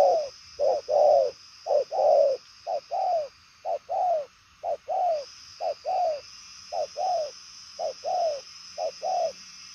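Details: Fast, well-delivered cooing from a purple-legged 'đồng son' spotted dove: a long run of short-long coo pairs, each long note sliding slightly downward, roughly one pair per second.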